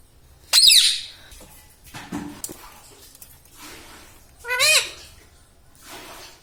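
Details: Pet ring-necked parrot, said to talk and say mummy, papa and radhe radhe. Two loud, harsh, harmonic squawking calls that bend in pitch come a few seconds apart, with softer rustles and faint voices between them.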